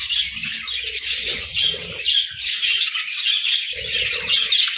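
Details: Parakeets in the morning: a dense, unbroken chatter of high, scratchy chirps and warbles from many birds, with soft low bumps and rustles underneath.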